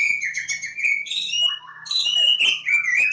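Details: Javan form of Oriental magpie-robin from Lebakgowah: a long steady whistled note, then sweeping downslurs and quick warbled notes, loud and clear against a quiet background.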